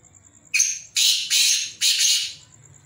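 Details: Captive black francolin giving one full grating call: a brief sharp opening note, then three drawn-out harsh, raspy notes in quick succession, with a continuous high-pitched electronic whine and low background hum.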